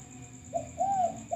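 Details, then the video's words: Male spotted dove kept as a lure bird: a brief coo phrase, a short note, a longer smooth arched coo, then another starting, against a faint steady high whine and low rumble. "Pancingan derkuku kuk 1"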